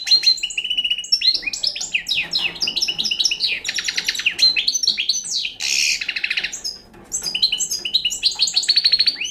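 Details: Song of a young European goldfinch of the Balkan type, a continuous, bright warble of rapid liquid twitters, sweeping notes and a harsh buzzy burst around six seconds, ending in fast repeated chips.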